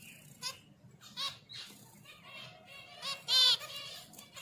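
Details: Finches during mating, giving short, high, buzzy chirps with stacked harmonics, scattered irregularly with brief pauses between, over a soft low rumble.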